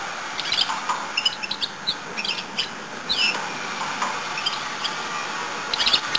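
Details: Goldfinch-canary hybrid singing indoors: a run of quick high twitters, clicks and bright sweeping notes, some curving down then up, delivered in lively bursts with short pauses over a steady background hiss.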